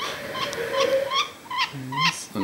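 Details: A pet budgerigar with a tail bob, which a vet suspects has chlamydiosis, makes thin, high respiratory squeaks with each breath, several per second, while the man examining it talks.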